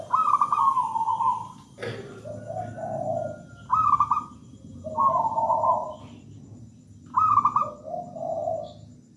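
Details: Persistent singing from a local zebra dove of wild stock: three phrases, each a high pulsed coo dropping into a lower trill, spaced about three seconds apart, with one sharp click early on.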